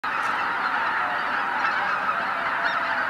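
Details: Tens of thousands of greater white-fronted geese taking off at sunrise from Izu-Numa, Miyagi, Japan: a dense, unbroken roar of overlapping honking calls with no gaps or single voices standing out.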